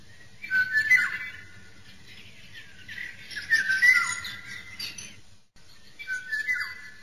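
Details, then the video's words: Eurasian golden oriole (Oriolus oriolus) in the wild, mellow whistled phrases with slurred, falling notes, repeated a few times over constant background hiss. "Canto e verso Rigogolo - Richiamo Oriolus oriolus"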